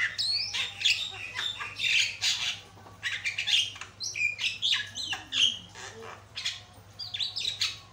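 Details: Black-winged starling song used as a lure for training: loud, varied sequence of harsh squawks, whistled notes and chattering phrases, mostly high-pitched, delivered in quick bursts with short gaps, a low steady hum underneath.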